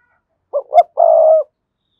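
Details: Spotted dove giving its song to call in rival males for a fight: a brief low note and a second slightly higher one, followed by a drawn-out, trembling coo about half a second long; nothing else audible.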